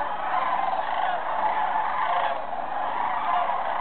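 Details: Sandhill cranes at Jasper Pulaski on November 1, 2007: a dense, continuous chorus of overlapping rolling, trumpeting calls from many birds, with no clear gaps throughout.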